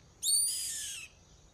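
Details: Yellow-headed caracara uttering one harsh, strained screech that starts sharp and fades after about a second while drifting gently lower, over quiet low background noise.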